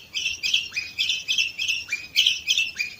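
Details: Canary from Varna, Bulgaria, recorded in 2018, repeating a bright rolling phrase with a low upward slide at the start, roughly three times a second, clear and close.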